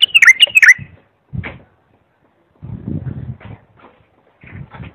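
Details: Bulbul tutoring song: one quick burst of looping whistled notes at the start, followed by low rustling and handling noises.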